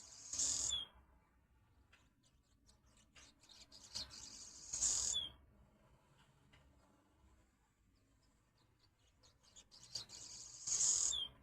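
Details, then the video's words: Swallows calling at a window: brief bursts of shrill, chattering twitter, each closing with a quick falling slur, coming roughly every four to six seconds. "Andorinhas conversando"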